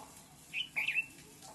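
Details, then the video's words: A bulbul sings a brief, bright phrase: a short chirp, then a quick liquid warble of two or three notes, over faint background hiss. "Sweet bird sound"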